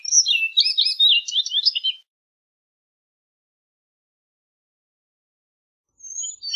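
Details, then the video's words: Orchard oriole (Icterus spurius) gives a fast two-second jumble of whistled and chattering notes, silence follows, then a faint high whistle begins at the end. "Orchard Oriole Bird Singing, Calling, Chirping, Sound - Calandria Castaña Canto"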